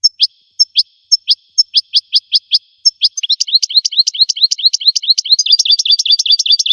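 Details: American goldfinch song, played for teaching songbirds to sing: a clean series of sharp, upslurred chips about three per second, then a faster, denser run of rising twittered notes; no other sounds.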